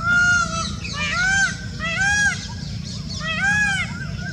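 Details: Indian peafowl (peacock) in Rajasthan, India: four loud, nasal, strongly harmonic calls, each arched in pitch, spaced about one second apart over four seconds, over a steady low rumble.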